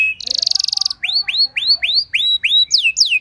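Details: Canary song played to teach and trigger other canaries: a fast high buzzy rattle, then six evenly spaced rising, down-curving whistles about every half second, ending on a falling slurred note.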